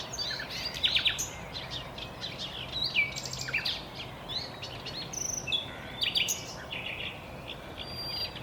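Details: Common nightingale song from thick vegetation: varied phrases of sharp whistles, buzzy trills and clicking notes separated by short pauses, with steady background hiss.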